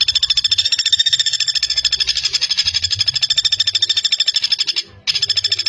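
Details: Common flameback calling prolifically in a tutoring recording for young songbirds: a fast, dense rattle of sharp high notes, about twelve per second, runs almost unbroken, cut by a short gap near the end.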